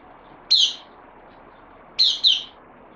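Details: Newly arrived bulbul on loan, recorded 12 September 2020: one bright, slurred whistled note, then a quick double note about one and a half seconds later, over a faint steady background hiss.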